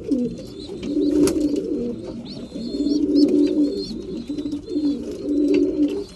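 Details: Mealtime among breeding pigeons in a loft: sustained low, gurgling coos in rhythmic pulses, with short high whistled squeaks and an occasional sharp tap.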